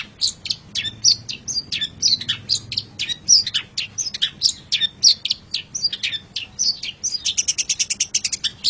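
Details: Long-tailed shrike master song for teaching pet birds: continuous lively stream of varied sharp chirps and clicks, speeding into a rapid rattling series near the end.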